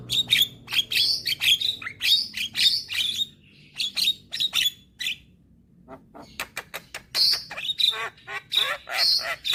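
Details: Young Javan myna in full song with head bobbing: rapid runs of scratchy, clicking bursts and squeaky whistles, a brief gap midway, then another busy chattering phrase.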